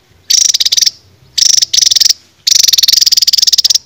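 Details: Songbird kept in a cage, heard in a raja tembak training song: three bursts of rapid ticking trills, the last lasting over a second, each sharp and buzzy with quick, even pulses.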